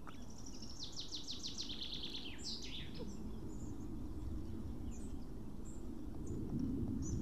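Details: Male White-tailed eagle returning to an Estonian nest after ringing, 8 June 2018, bringing a fish that is lost; a brisk series of downward yelping notes opens, then fades to sparse squeaks over low rumbling background.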